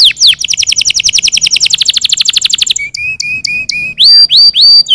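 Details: Canaries singing so that other birds join in: a long fast rolling trill of evenly spaced notes, then slow clear whistled notes, then loud ringing upslurred phrases.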